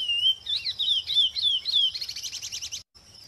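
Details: A free-living Chestnut-bellied Seed Finch sings in the wild: clear, sweet whistled notes that slur downward, then a fast rattling run of chirpy notes before a short pause.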